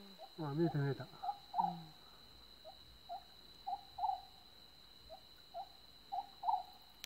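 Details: Oriental scops owl uttering brief, low, knocking notes, singly or in pairs, about every half second to second, after a person speaks at the start; a constant high-pitched whine runs underneath.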